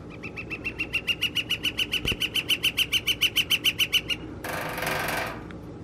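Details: Northern flicker in April 2021: a regular burst of quick knocking, about 3.5 strikes per second for four seconds, then a short rushing noise.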